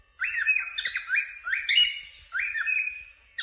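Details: A contented cockatiel gives three drawn-out chirps, each sweeping sharply up then holding a buzzy, level tone for nearly a second.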